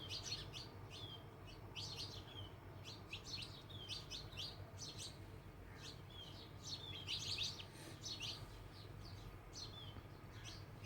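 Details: House sparrows, remembered as common around homes in childhood though now rare, uttering sharp downslurred chirps in quick groups, several birds calling at once over a steady low hum.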